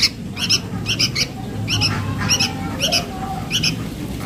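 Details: Sooty-headed bulbul chick calling its mother: evenly spaced pairs of scratchy, hoarse notes about twice a second, somewhat muffled by a loud low hum and background noise.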